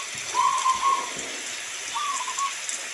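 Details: Local zebra dove singing two rolling, stuttered cooing phrases at a steady mid pitch, each about a second long, separated by a pause, over constant hissing rain.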